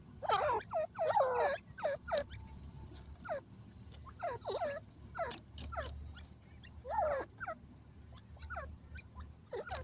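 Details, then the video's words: A desi grey francolin utters quick clusters of sharp, descending squeaky notes, loud groups separated by brief pauses, against a faint low rumble. "desi teetar awaz"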